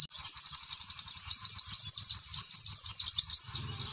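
A white-eye sings a fast, high, sweet twittering run of about six notes a second, steady and unbroken, with faint low thumps behind.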